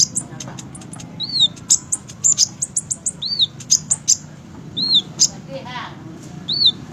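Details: Olive-backed sunbird, a fighter bird kept in captivity: high thin chips and short downslurred whistled notes, several arched sweeps repeated about every second and a half, over a low steady hum.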